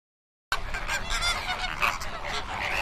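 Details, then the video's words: Flamingos calling together after a brief silence: a dense, continuous chorus of nasal, goose-like honks and grunts from many birds, overlapping without pause. "Flamingo bird facts and sound for kids"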